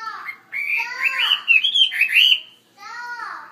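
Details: Chinese hwamei in a larger cage delivering a continuous run of sweeping, warbled whistles that climb and dip, followed by a short pause and a softer descending phrase.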